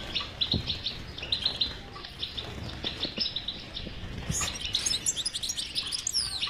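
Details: Stimulation song of a European goldfinch, batbata style, for a goldfinch that does not sing: repeated twittered phrases, a few soft low knocks, then a loud high jingling trill.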